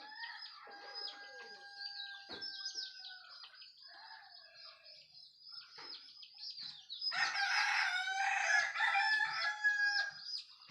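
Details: At daybreak, high thin chirping of small birds fills the first seven seconds before a rooster breaks in with a loud, drawn-out crow of about three seconds, marking morning's arrival, chirps continuing around it.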